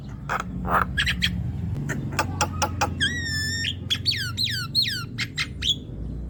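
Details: Javan myna song for encouraging a quiet young bird to sing: scattered clicks, a steady held whistled tone around the third second, then descending swooping whistles and a final bright note, with low hum beneath.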